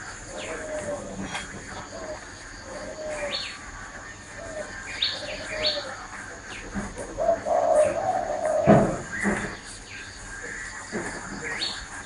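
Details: Spotted dove perched on a person's hand, giving low, hollow coos spaced through the clip, ending in a longer, louder coo; frequent thin chirps and twitters from other birds fill the background.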